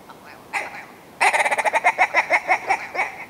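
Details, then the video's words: Willow ptarmigan giving a loud, rapid stuttering cackle: one brief note, a pause, then a fast run of about fifteen clipped nasal pulses that slows slightly toward the end. "Willow Ptarmigan - Song & Call"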